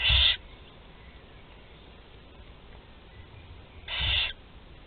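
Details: Four young barn owls fed at their nest, Théding, 16 July 2020: two short harsh snoring hisses about four seconds apart over near silence.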